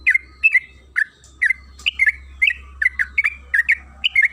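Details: {'caption': "Lure song of the yellow-vented bulbul (trucukan kebo) in the long 'ropel panjang' style: cheerful slurred chirps and short bubbling figures, evenly repeated, over a steady low electrical hum."}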